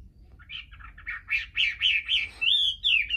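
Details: Chinese hwamei singing naturally without a female present: a rapid run of rich, slurred whistled notes, rising and falling, growing louder and ending in long clear sweeping whistles.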